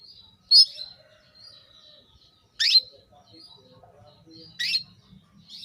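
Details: A female canary calls to a male to bring him into breeding condition, giving strong sharp chirps about every two seconds between faint high whistled notes, with a slight low rumble.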